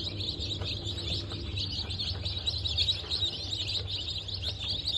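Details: Brood of newly hatched chicks, Brahma, İspenç and dwarf Cochin, hatched 19 November 2024, giving a continuous mass of high-pitched peeps with a constant low hum beneath.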